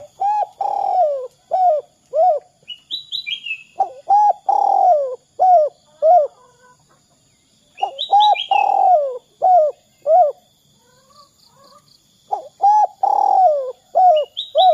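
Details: Several back-to-back coo phrases from a spotted dove played as a lure for other doves, each with short notes around a long downward-sliding coo, punctuated by high chirps from another bird.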